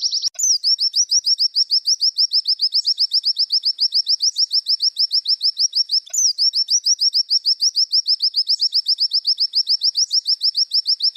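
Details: Caged-bird therapy recording of a white-eye: a long, fast, regular trill of high slurred notes repeated about three per second, broken twice by a sharp rising chip, with fainter overlapping twitter above.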